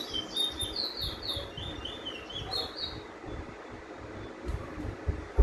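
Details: Chestnut-bellied (lesser) seed finch of the Venezuelan type kept in Trinidad, singing the "withdrawal" roll: quick high whistled and chirped phrases, bright and slurred, fading after about three seconds, over a low rumbling background.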